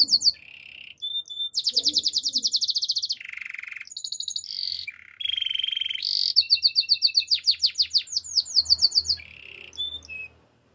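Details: Canary song of alternating tours: sharp repeated whistles, fast high trills and low buzzing rolls. Each phrase lasts one to two seconds, and the song ends in a run of rapid descending slurs.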